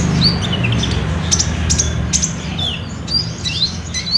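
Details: Lure song of an active Olive-backed sunbird in trotol style, meant to get a kept bird singing. High, thin whistled slurs and flicking chirps come in loose, uneven sequence above a constant low hum.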